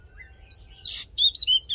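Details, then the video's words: Oriental magpie-robin fighting song for voice training and rousing a male: a drawn-out, level whistled note, a burst of harsher buzz, then two quick sweet whistles after a brief pause. "Hót Đấu Kích Trống Căng Lửa || Luyện Giọng Chòe Than"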